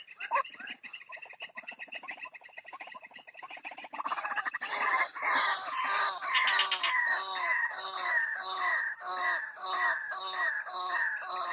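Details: Waterhen lure call for drawing birds from bushes: a rapid chattering series opens, then swells into loud, harsh, rhythmic croaks repeated nearly twice a second in a steady chant.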